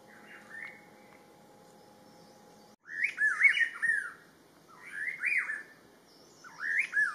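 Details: Rufous-throated partridge (Arborophila rufogularis) at Doi Inthanon, Thailand, giving loud, rising and falling whistled notes in three bursts about two seconds apart, after a quiet start with a faint steady hum.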